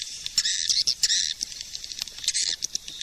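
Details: Swiftlet suara panggil, a 2020 calling sound: dense, high, scratchy chatter runs in two long buzzy stretches broken by short clicking notes and a brief pause.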